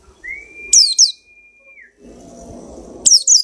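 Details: White-eye picked from a crowded lot of birds, now singing within two weeks: one long, steady whistled tone ends, then paired high, descending chirps burst out over faint background rustle.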